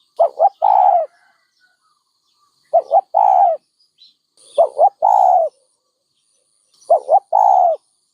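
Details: A dove repeats its cooing phrase four times, each a quick double coo leading into one sustained, slightly falling note, roughly every two seconds.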